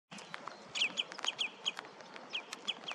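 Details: Common redshank, called rødstilk, recorded with a Nikon Coolpix P1000 camera: a run of short, sharp, downslurred piping notes, some doubled, spaced irregularly through the clip over a faint hiss of background noise.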